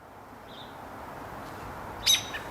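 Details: American robin giving one sharp, high, piercing alarm note, one of its alarm calls that vary with the predator, followed by two fainter clicks, over a steady hiss of background noise.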